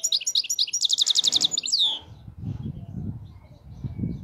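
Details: European goldfinch in clean khalawi song: twittering notes leading into a fast, ringing high trill and a swooping downward slur, followed by low background rumbling noise.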